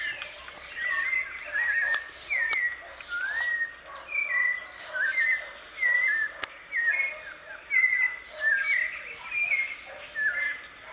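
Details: Free-living white-necked thrush recorded live outdoors: long run of clear whistled phrases, each a short slurred or warbled figure, repeated steadily more than once a second, with a few sharp clicks.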